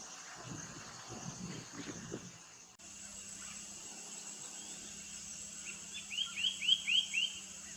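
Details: Black-headed cuckooshrike (Lalage melanoptera) in Coimbatore, India: a quick run of about five sharp, slurred whistles near the end, over a steady insect hiss and low hum, with brief speech at the start.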